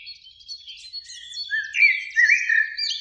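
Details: Eurasian blackbird singing at evening in a springtime beech tree beside a lake, two birds present; soft high twitters give way to loud fluting whistled phrases rising and falling.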